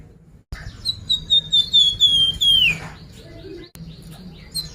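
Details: Sunda pied fantail, known locally as flamboyan, singing as a lure for other birds: a sequence of high clear whistles gradually stepping down and finishing in a dropping sweep, with quieter chirps afterward.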